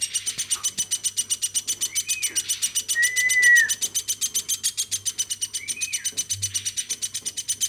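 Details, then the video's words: Woodpecker cared for since a baby chatters on and on: quick, regular high pulses, overlaid by several slurred whistles, one long and loud in the middle, over a faint indoor hum. "AMOY BURUNG PLATUK GACORNYA SAMPAI 5 MENIT"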